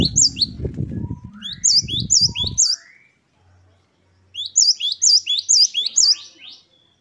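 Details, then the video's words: Great tit in wucit-wucit song. High repeated phrases sound over loud low thumping noise, and a second clean bout of about six phrases follows a pause. "Glatik Wucit2 10 variasi Masteran Gelatik Gacor"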